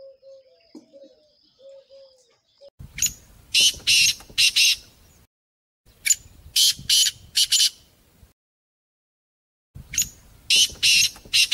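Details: Partridge calls from a mix of different partridges, harsh grating bursts in rapid groups of four to five, pausing between series; faint tonal whistles sound at the start.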